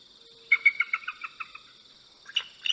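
A bald eagle gives a thin, high chittering series of about eight quick piping notes, then a brief second burst, over a steady high hiss.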